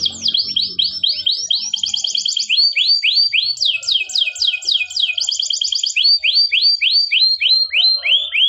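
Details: Training song of a canary: continuous run of bright downward-slurred whistled notes alternating with quick rattling trills, each phrase repeated several times in steady succession; faint low sounds at the start.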